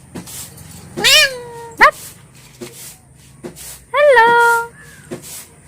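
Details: Talking pet parrot gives two drawn-out, high voice-like calls that rise sharply then hold a steady falling tone, sounding almost like a meow, with soft clicks and quiet room noise between.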